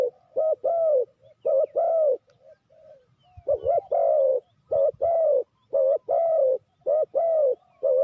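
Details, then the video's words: A spotted dove coos as a trapping lure: strong, mellow paired notes in rapid series, a quieter softer stretch in the middle, then loud cooing resumes with a few faint knocks. "Sound Of Spotted Dove is so good"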